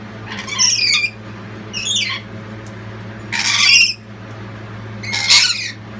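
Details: Lorikeet family calling loudly to support the youngest chick just after it left the nest box: harsh, screechy rasping bursts about a second long, repeated at intervals, over a steady low hum.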